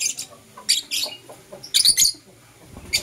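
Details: Blue Opaline and Euwing Opaline lovebirds chirping in the morning while kissing; loud, rasping, high notes in short pairs and triplets, roughly twice per second.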